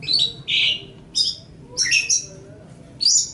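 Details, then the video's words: Long-tailed shrike song used to train other birds: loud, scratchy high phrases mixed with one lower, full note, broken by short pauses. "Ocehan Suara Burung Cendet/ Pentet"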